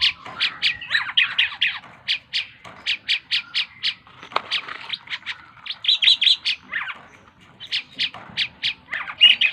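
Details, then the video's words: Vigorous song of a tame Asian pied starling, made of irregular groups of short harsh buzzy notes mixed with squeaky warbles and chatter, with a short pause before it resumes. "burung jalak keling gacor dor // burung cucak keling jinak gacor"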